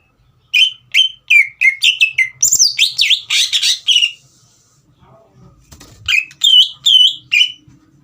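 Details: Caged green leafbird song aimed at making a young speckled bird sing: quick whistled notes leading into a dense, harsher high chattering passage, a quiet gap, then more clear whistles.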